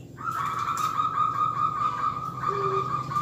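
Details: Local zebra dove singing steadily as a lure recording to set other doves calling: one sustained, fast-rolling trilled coo held at a single mid pitch for about three seconds, with a brief low coo near the end and background hum.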